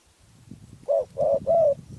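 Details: Spotted dove of Phrae, Thailand, giving three firm coos in quick succession, the last the longest, after a stretch of low murmuring background noise.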